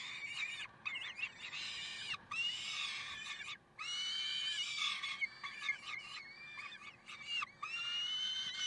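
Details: Peregrine falcons recorded in Karlsruhe on 30 May 2010 at 6:56, calling loudly and insistently in rough, screechy wails with swooping pitch. Calls overlap in long bursts separated by short gaps.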